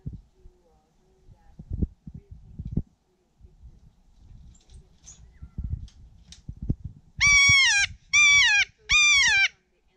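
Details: Kea at Ball Hut, Mt Cook National Park, in March 2019: three loud, screeching calls close together near the end, each about half a second with a wavering pitch. Earlier come people talking and scattered knocks and handling noises.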